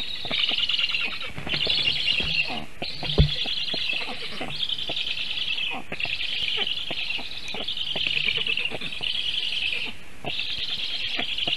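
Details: Black stork chicks on their nest in Sigulda municipality, Latvia, filmed by a live nest camera at 4:51 PM on 1 August 2021, defending themselves after a goshawk landed on the nest tree and the adult fled without feeding; dense, harsh, continuous calling in rasping bursts separated by brief gaps.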